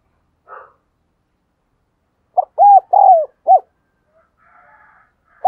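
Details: Spotted dove kept as a decoy, pressing out coos to encourage other doves to sing: a single low, hollow four-note phrase after a faint short note, followed by soft murmuring and silence.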